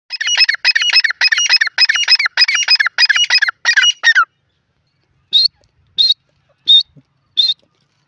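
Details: Grey francolin (teetar) from India giving a rapid run of harsh, ringing, broadband notes for about four seconds, then a pause and four shorter, clipped high notes spaced roughly half a second apart.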